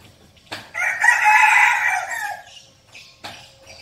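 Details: Red junglefowl kept as a decoy bird giving one loud, hoarse crow of about a second and a half, strongest in the middle and fading at the end, with a sharp click just before and another after.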